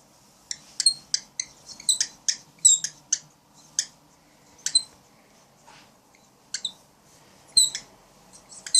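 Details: Grumpy cockatiel protecting its cat friend indoors, giving sharp, high squawking calls in irregular bursts, some doubled, separated by short pauses over about nine seconds, in a quiet small room.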